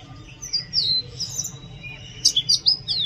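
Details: Oriental magpie-robin song: short phrases of high sliding whistles, a downward slur early on, then a burst of quick sharp chirps near the end, separated by brief quiet gaps over a low hum.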